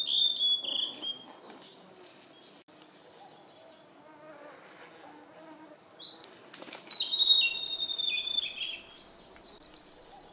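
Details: A blue-and-white flycatcher sings high, pure whistles and slurred notes in the Khingan reserve, Amur region, Far East Russia. Its phrases are separated by several seconds of quiet forest, then end in a fast trill.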